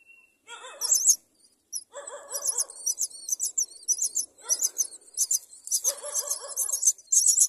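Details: Common myna chick begging while its mother brings food: bursts of harsh, hissing, buzzy calls in quick runs, broken by short pauses, with lower nasal grating notes from an adult mixed in between.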